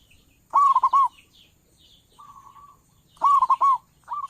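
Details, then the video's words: Local zebra dove suited to trappers as a lure: two loud bursts of bubbly, hooked coos about two and a half seconds apart, a soft steady coo between, and a third phrase starting at the end. "perkutut lokal suara besar cocok buat para pemikat burung perkutut"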